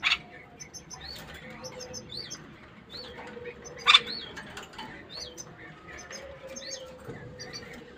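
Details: Caged bulbul singing to stimulate the female to mate: bright hooked whistles and paired high chirps repeated at a steady pace, with a low background hum and a couple of sharp knocks.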